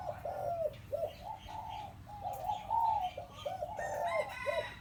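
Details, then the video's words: Four-year-old hybrid decoy zebra dove in penyat style, calling continuously in trilled, rolling coo phrases of several quick notes each, with a faint higher chirping bird at the end. "นกต่อเพนียดเสียงตามคลิป นกเก่าอายุ4ปี ลูกผสม วงในวงนอกเเน่นครับ"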